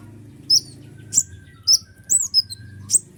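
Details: Sunbird locally called kolibri ninja, singing to stir other birds into song: five separate piercing high chips and slurred whistles, roughly one every half second to second, over a faint low hum.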